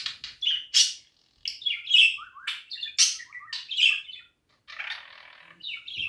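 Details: Loud budgerigar warbling: rapid chirps, whistles and buzzy rasps in a dense chattering flow, broken by a brief silence and a hoarse scratchy phrase near the end.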